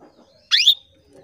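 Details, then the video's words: Single call of a female canary summoning males, played to spur male canaries into song: a short, strong, rising chirp with a clear high tail, over a faint murmur of low background sound. "PANCINGAN KENARI BETINA MEMANGGIL JANTAN"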